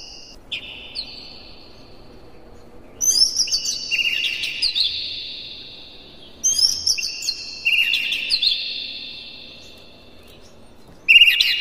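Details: Oriental magpie-robin recorded in the morning, used to stimulate captive birds: long, clear, pure whistles, some sliding down, in phrases with pauses, over a low steady background hum.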